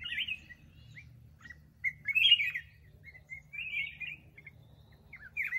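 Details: Black-crested bulbul giving brief liquid whistled phrases and single chips, a burbling phrase near the middle and another toward the end, with a soft low hum behind.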